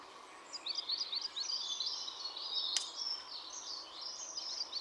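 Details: Dunnock (Prunella modularis) singing: a thin, high, hurried warble of jumbled twittering notes that runs almost unbroken for about four seconds. One sharp click sounds midway, and a steady low hum stays in the background.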